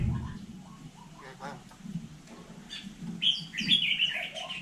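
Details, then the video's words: Talking hill myna from Vietnam mimicking human words: soft, scattered low voiced notes at first, then loud clear whistled syllables high up in the last second and a half over a faint low hum. "Chim nhồng nói tiếng người cực đỉnh"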